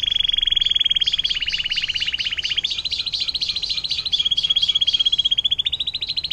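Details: Canary's long 'air mancuran' song, meant for tutoring murai batu, cucak ijo and cendet: loud, rapid pulsed trills held at a steady high pitch, stepping up and down in pitch, with barely a pause.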